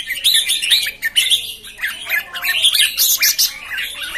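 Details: New red-whiskered bulbuls (jambul), 13 June 2019, give loud dense chirping and rolling warbles, notes packed closely with barely any gaps.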